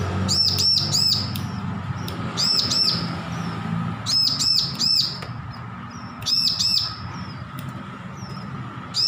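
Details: Young bar-winged prinia learning its song after hand-rearing, delivering repeated clusters of three or four sharp, arched, buzzy notes every couple of seconds, with faint chirps and a low background hum.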